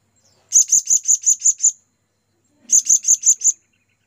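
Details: Blue-crowned hanging parrot calling its companions, used as a lure: two rapid runs of piercing, high-pitched chirps, seven notes then five, evenly spaced and separated by a two-second pause.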